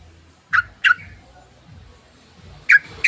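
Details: Sooty-headed bulbul calling as a lure for other birds: two quick double chips, harsh and clipped, separated by about two seconds of near silence with a soft low hum.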